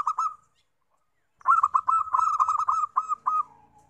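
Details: Lure song of a zebra dove for catching wild doves: one brief coo phrase, a pause, then a long fast string of staccato rolling coos that trail off into a quieter low note.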